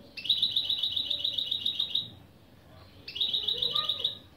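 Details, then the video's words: Lesson recording of goldfinch × canary mule opening phrases: two bright, buzzy rapid trills, each about a second or two long, separated by a short quiet pause with faint low background sound. "Saka Melezi Ön Çıkışlar👌 #30 Mixto jilguero/ mulet"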